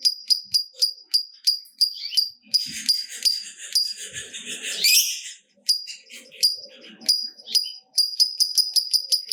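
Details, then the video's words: Lovebird song used to stimulate other lovebirds to sing. High, sharp ticking notes repeat rapidly, broken midway by a burst of harsh, buzzy chatter, then the quick high ticks resume. "Lovebird Gacor Ngekek Panjang !! Pancingan Top Lovebird Apapun Bikin Rajin Bunyi Ngekek Panjang"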